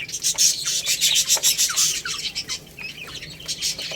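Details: Chicks pecking at rice make loud, fast bursts of clattering pecks, about three per second, mixed with short downward-sliding chirps.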